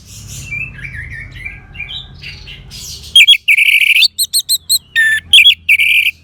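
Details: Orange-headed thrush song played as a therapy track for caged birds: three seconds of soft warbled twittering, then a stop-start run of loud, sharp whistled notes and short ringing phrases with brief gaps.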